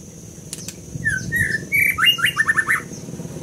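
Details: Scarlet minivet delivering a short phrase of sweet rising whistles that breaks into a quick sequence of descending slurred notes, preceded by two dry clicks, over a soft low hum.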